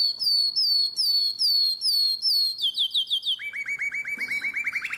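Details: Canary singing in the nightingale-voiced style, Drama, 2017: a series of high descending whistles repeated about twice a second, quickening into rolled notes, then dropping to a lower, rapid chattering trill.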